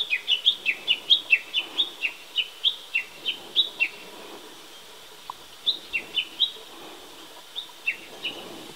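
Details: Spring Japanese bush warbler by a fresh-green persimmon tree giving quick repeated paired whistles, a high note sliding to a lower one, about a dozen in a burst, then a pause and softer scattered pairs; quiet background.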